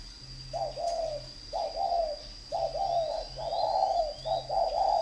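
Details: Spotted dove kept for song fighting at a bird garden in Ba Vì, Hanoi, northern Vietnam: low mellow coo phrases repeated about once a second, each two or three notes ending drawn out, over a steady high electrical whine and faint chirps.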